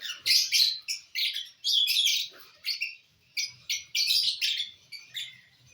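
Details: Lovebirds chatter while eating corn on the cob on 18 December 2022: rapid, harsh, high chirps tumble out several per second in uneven runs, with faint low knocking beneath.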